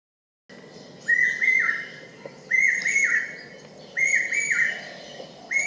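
Common hawk-cuckoo giving shrill, ringing three-note phrases, each slightly rising, repeated about every one and a half seconds over a steady low background hum.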